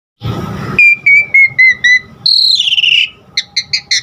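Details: Asian pied starling song used to train caged birds to sing: a burst of noise, then a run of short falling whistles, a long descending whistled phrase, and quick repeated chirps at the end.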